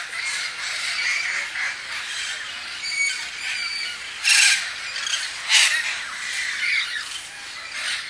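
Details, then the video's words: Parrots at Point Loma outdoors in the morning: a continuous, noisy racket of many screeching calls overlapping, with two louder harsh bursts standing out midway. "Noisy Point Loma Parrots"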